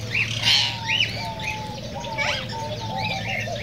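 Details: Cockatiels calling to prompt mating: distinct arched whistled notes repeated about every half second, with softer overlapping chirps from other birds and a faint low hum.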